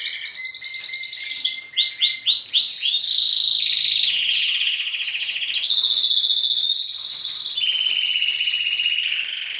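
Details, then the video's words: Adult and young canaries sing together in the morning at a breeding aviary. Repeated upswept chirps, fast rattling rolls and one thin sustained whistle mix into a noisy, overlapping, high-pitched chorus lasting the whole stretch. "Baderna bagunça de canto estimular filhotes"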